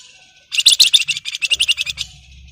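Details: Flamboyan in breeding condition calling to a rival: a dense burst of rapid, high, chattering notes lasting about one and a half seconds, loud and sharp, with a faint low hum in the background.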